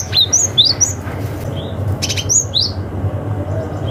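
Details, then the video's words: Cinereous tit giving a forest-style rival call, used to lure young wild birds: a few high whistled chirps, sliding down, in two short bursts with a brief click between, above faint low hum. "SUARA gelatik batu ngalas manggil lawan - cocok untuk PANCINGAN gelatik muda hutan"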